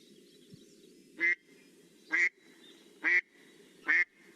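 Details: American black duck, a Newfoundland bird, giving slow monotone quacks on one pitch, four rough nasal notes roughly one second apart, each easy to count, with a soft low background rumble.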